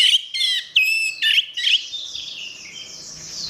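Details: Orange-headed thrush singing as a tutor recording for training songbirds: loud, clear whistled notes with sharp slurred inflections in the first half, then fading into a soft, continuous high twittering chatter.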